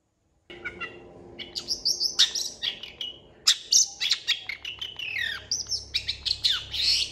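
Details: Long-tailed shrike in full song, used as a tutor recording for training competition birds and said to mimic cats and chickens; a dense, varied run of sharp chirps, whistled slurs and rising and falling notes with almost no pauses.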